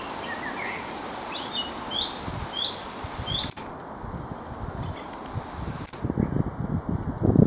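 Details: Song thrush singing at a country estate, said to mimic the common buzzard: a run of clear rising whistled notes in the first half, followed by rustling handling noise and low thumps.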